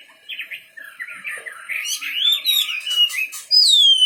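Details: Wambi bird warbling in a continuous stream of fluttering whistles and twitters, ending on a loud clear down-slurred whistle.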